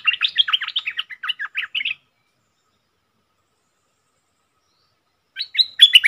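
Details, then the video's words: Red-whiskered bulbul song as a wild bird challenges a caged decoy: a two-second chattering run of quick warbled notes, a long silence, then a fresh burst of clear whistles. "เสียงนกกรงดอกแตงEp.56Birds soundsนกป่าห้าวจัดมา ริกใส่แล้วก็ไปSuara merbah lekir gacor"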